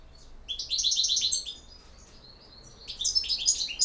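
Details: Goldfinch delivering campero song, two bursts of quick, high, silvery twittering notes packed closely together, separated by a short quiet gap.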